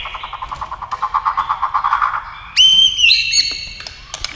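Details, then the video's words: White-rumped shama singing in competition against a television, flicking its tail with rapid bill movements: a fast run of about fifteen pulsed mid-pitched notes, then loud, clear, high whistled phrases with sliding, ringing tones. "kích chòe lửa hót đấu với tivi cực căng lửa"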